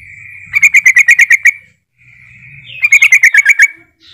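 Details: Sooty-headed bulbul calling rivals so that other bulbuls join in: two quick runs of eight to nine bright, evenly spaced bubbling notes, the second run dropping in pitch, over a low background hum.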